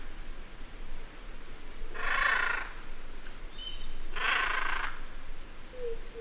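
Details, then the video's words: Several hyacinth macaws calling: two loud, harsh, raspy squawks, each lasting under a second and about two seconds apart, with a faint thin whistle from another bird between and after them over a quiet background. "Hyacinth Macaw. Calls From Several."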